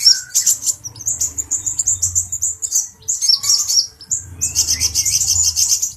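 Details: Agitated male brown-throated sunbird teasing a cucak jenggot bird: shrill chirps and sharp twitters in uneven bursts separated by brief gaps. A soft low rumble sits in the background.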